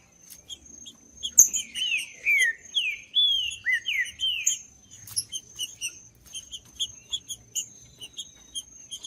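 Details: Judas-style song of a green-winged saltator, meant to warm up a cold bird before tournaments: a string of rich, downslurred whistled phrases in the middle, framed by busy high chirping of other small birds and a constant shrill tone.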